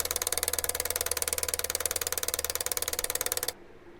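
A woodpecker drums in a fast, even roll of sharp knocks, about seventeen per second, lasting three and a half seconds before stopping abruptly.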